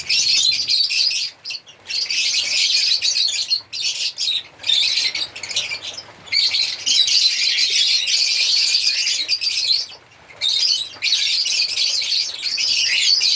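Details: African lovebirds singing and chirping: a dense, continuous flock chatter of shrill, high squeaks and chirps, very rapid and irregular, with brief pauses near two, six and ten seconds.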